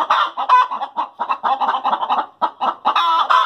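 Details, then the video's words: Cackle of hens after laying eggs, with quick staccato clucks, several per second, and a harsher, drawn-out squawk near the end. "Chickens Sound After Laying Eggs"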